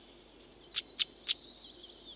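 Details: On heathland at a Blackdown Hills beacon, Somerset, a stonechat gives three hard, clicking tacks like two pebbles knocked together, about a quarter-second apart, framed by a thin, high whistle before and after.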